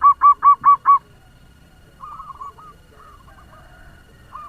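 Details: Fast-singing local zebra dove kept as a lure to provoke other doves: five loud, rapid rounded coos, followed by faint, softer cooing phrases in the background.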